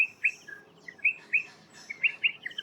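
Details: Striated pardalotes near Adelaide, South Australia, trading sharp high chips and quick two-note chirps, about a dozen in under three seconds. The birds seem to be holding a conversation.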